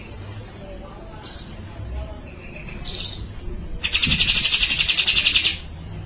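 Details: Singing grey-cheeked bulbul delivering besetan and a long tembakan: scattered short high notes, then a loud, even, buzzy trill lasting nearly two seconds.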